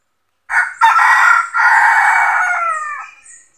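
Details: Wild chicken, red junglefowl, crows in a trapping session in which a decoy rooster draws in territorial wild males; after brief silence, loud choppy syllables lead into a long sustained note that tapers off downward.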